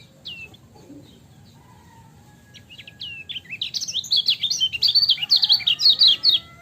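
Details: Lemon-bellied white-eye recorded as a masteran ciak song: scattered thin high whistles and a soft lower tone open the clip, then a quickening stream of sharp, high twittering notes builds over the last three seconds.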